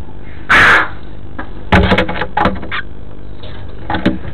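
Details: Female red-billed chough at her nest on 14 May 2014, calling on finding her two chicks, perhaps to her mate or the chicks: one loud, harsh, ringing call followed by clattering knocks and shuffling.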